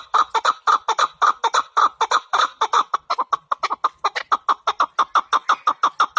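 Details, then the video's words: A chukar partridge delivers a long, fast, rhythmic string of harsh chuck notes, several each second, keeping an even pace and a strong level throughout. "Кабки сурак кариб маст шавад Keklik الحجل Куропатка Partridge"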